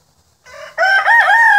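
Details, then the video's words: Rooster crowing: a quiet lead-in note, then a loud, harmonic, sustained crow that rises slightly and holds steady through the end, part of several roosters making noise. "ROOSTERS MAKIN NOISE"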